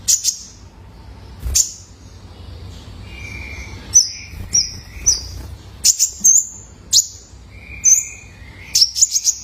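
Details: Juvenile male Purple-throated Sunbird used for training caged birds: spaced, high thin chirps and flat whistled notes, some long steady tones at a lower pitch, with quiet pauses between phrases.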